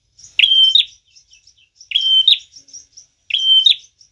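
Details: Prenjak tamu, a prinia, in full energetic song suited to luring birds: three piercing whistled bursts, each ending in clicking notes, separated by thin high chips and brief silences.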